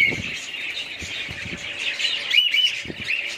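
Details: Budgerigars kept as a family group twittering in overlapping high chirps and warbles, with a brief brighter whistled phrase midway and soft low knocks or taps in the background.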